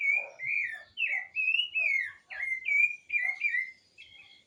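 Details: Bird singing loud, clear whistled phrases that swoop down and then up again, delivered in a rapid sequence with short breaks between them.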